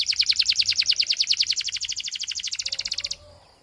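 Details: Belgian canary song meant to get other canaries singing: a fast, bright, even trill of about eleven notes a second holds for three seconds, then stops abruptly, leaving a faint low hum.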